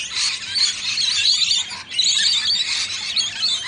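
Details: Two rainbow lorikeets sharing a drink give a harsh, high-pitched screeching chatter in two long, unbroken bursts with only a brief pause between them.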